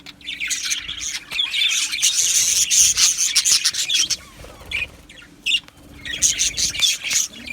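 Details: Budgerigar colony in an aviary on 12 July 2025: swelling high warbling chatter for several seconds, a brief lull with isolated chirps, then another burst of fast overlapping tweets.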